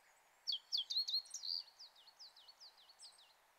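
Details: Brambling in the Kanto mountains of Japan in late March, wild: a cluster of sharp, high chirping notes, then a run of thin downslurred calls, about four per second, gradually fading.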